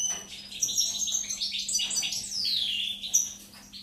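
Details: Short burst of European goldfinch song dated 4 May 2019, dense twittering notes leading into a long, clear downslurred whistle, then a bright chip; a faint constant hum sits beneath.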